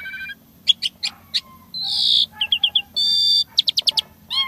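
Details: Asian pied starling in energetic filler song: spaced sharp chips, a loud rising buzzy note, a short run of whistled notes, a steady harsh tone, a rapid stutter of chips and a closing upslurred whistle.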